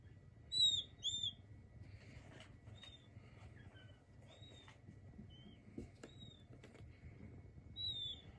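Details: Peeping king quail chicks give clear high whistled notes, loudest as a close pair at the start and again at the end, with softer scattered peeps and faint taps between over a low background hum.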